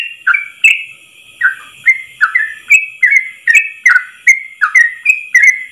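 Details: A yellow-vented bulbul's long ropel song, sung in a single breath for use as tutoring material: chains of clear whistled notes falling in pitch, some sharp upward flicks, delivered in an unbroken bubbling stream.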